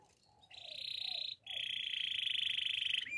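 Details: Waterslager canary training song: two long, steady rolling trills held high and level, split by a brief break, with faint low slurred notes underneath at the start.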